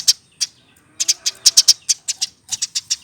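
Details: Adult Eurasian tree sparrow, over one year old and hand-fed since a chick, gives single bright chirps, then a faster uneven series of short high notes, some doubled, ending in a quick triple.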